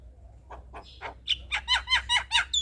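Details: Male Javan myna chatter used to lure other mynas: faint scratchy notes building into loud, rhythmic, harsh nasal squawks repeated about every quarter second.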